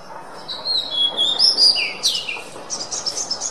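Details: Oriental magpie-robin (kacer) singing for a songbird training recording: sweet whistled notes lead into a downward-swooping phrase, then a fast pulsed buzzy trill of about eight notes.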